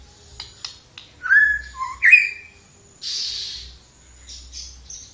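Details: Lively flowerpecker song with a few faint ticks, then a sliding whistle, a low short note and a higher twisting whistle, followed by a burst of hiss and thin high notes.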